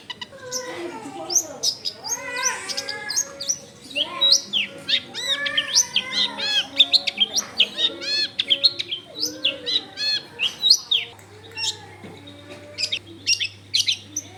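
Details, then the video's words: Long-tailed shrike in rich continuous song used to stir other shrikes to sing: jumbled whistles, arched notes, chatters and mimicked-sounding phrases, with a steady low hum late on. "SUAR BURUNG CENDET GACOR COCOK BUAT PANCINGAN CENDET BAHAN BIAR IKUT BUNYI"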